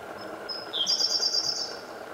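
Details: Eurasian wren singing in the morning sun in Japan on 8 May 2014: a high, thin trill of rapid notes rising into a fast buzzy run, over a low background hum.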